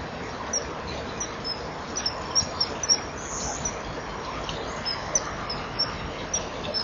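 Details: Common kingfisher pair at a breeding wall at 07:19 on 12 March 2015, filmed by nest camera: female perched, male joining, chipping at each other before a mating attempt. Short, thin, high chips come irregularly over a steady hiss.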